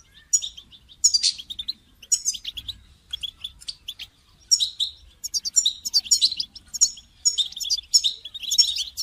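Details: European goldfinch call-song played to spur a caged goldfinch into singing: bright, tinkling twitters and liquid trills in quick bursts, some phrases climbing high, with short pauses between clusters over nine seconds.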